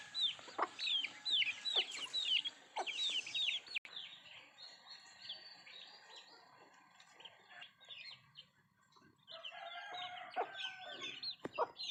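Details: Country chickens eating, opening with a loud run of high falling peeps plus sharp clicks, then fading to quieter scattered peeps before a busier chattering patch near the end.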